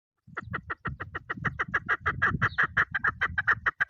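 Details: Female chukar partridge calling: a fast, steady run of short, sharp clucking chuk notes, roughly six each second, that continues unbroken for nearly four seconds over low rumbling thumps and handling noise.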